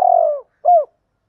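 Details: Spotted dove decoy call meant to excite other doves: one long, burry, slowly falling coo, then a single short smooth coo, with silence afterwards.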